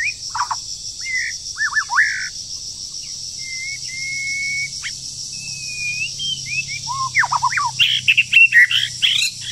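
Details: A wild bird sings fiercely while moulting in the breeding season, giving steep upward sweeps, then long flat whistles and looping phrases, ending in a burst of fast, sharp, chattering notes, over a steady high hiss.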